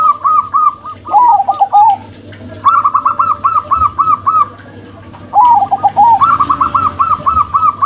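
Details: Zebra doves, a local-type female and a crossbred male, sing their cooing song: rippling phrases of rapid rounded notes, each opening with a wavering descending burst and then a steady string of about seven even coos, given twice over a low background hum.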